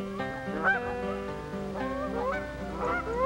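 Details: Canada geese, possibly on Missouri wintering grounds during a hunt with decoys and calling, give several loud, nasal honks that rise and break upward, scattered over about three seconds against steady, sustained musical tones.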